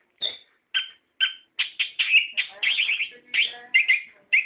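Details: Orange-headed thrush song meant to provoke a captive bird into answering: spaced sharp notes at first, then quickening into a rolling, trilled warble of high whistles.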